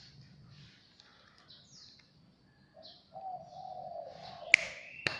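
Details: Zebra dove visiting a house unprompted: after quiet high chirps from other birds, a long soft purring coo begins and holds steadily for nearly two seconds, ending with two sharp taps.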